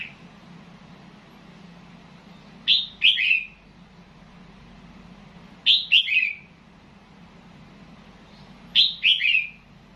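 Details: Red-whiskered bulbul from Loei province, Thailand, in nap dok (counted-phrase) singing. Three short whistled phrases, each three quick descending notes, come about three seconds apart over a low steady hum.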